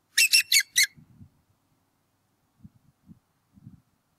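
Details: Bald eagle pair at their nest on a college campus in northwest Georgia, 8 April 2018, calling while the male chases off an intruder; a burst of four loud, shrill chittering notes, then faint low thumps.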